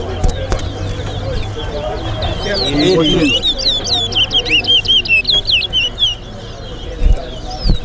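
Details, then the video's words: Towa towa in a whistling competition at Lusignan bird ground, Georgetown versus Berbice: a burst of rapid, high, curling whistles in mid-clip, then quieter; men counting, voices and some thumps around it. "G/TOWN VS BERBICE TOWA TOWA BIRD WHISTLING COMPETITION AT LUSIGNAN BIRD GROUND"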